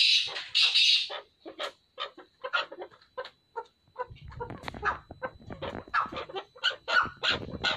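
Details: A chukar partridge pair giving scattered short clucking notes, first a brief loud burst, then sparse single calls that grow busier and more overlapping toward the end.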